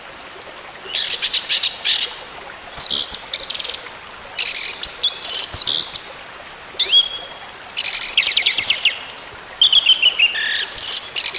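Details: Orange-headed thrush song, played to encourage a bird that has stopped singing to sing again. Repeated bursts of rich, scratchy, fast high notes and rising whistled slurs, with pauses of about a second between phrases.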